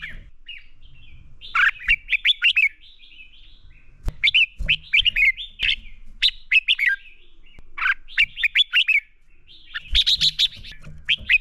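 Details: Red-whiskered bulbul singing its fighting song, used as a lure to train captive birds to sing; repeated bursts of rapid, bright whistled notes, rising and falling, delivered in phrases about every two to three seconds, with a few faint clicks.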